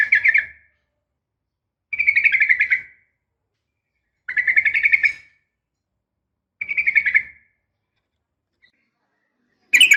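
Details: Yellow-vented bulbul female calling a male, giving four separate bubbly, buzzy phrases about two seconds apart, each under a second long, then a sudden sharp note at the end; quiet background between phrases.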